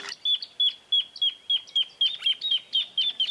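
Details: Grassland Yellow-Finch (Sicalis luteola) in Esperanza, Santa Fe, Argentina, 2023, giving a rapid series of high, sharp chip notes, about four per second, with faint chirps of other birds behind.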